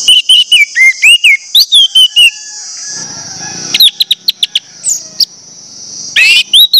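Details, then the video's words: Lure song of an orange-headed thrush, meant to get other birds of its kind singing: fast strings of sharp whistled notes and downslurs, a brief quiet gap, then more clipped whistles, with a constant high buzzing hiss behind. "pancingan anis merah bikin anis merah lain cepat ngeplong"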